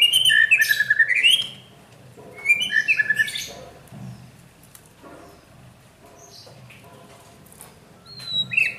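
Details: White-rumped shama, a kept bird being trained for a champion mentality, gives two loud bursts of rich warbled song with sweeping, descending whistled slurs, followed by a long quieter stretch with only scattered faint high notes.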